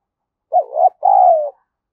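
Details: Single coo from a lure spotted dove calling to stimulate wild birds: a brief wavering hollow note followed by a longer, smooth, slightly falling coo, clean and without background noise.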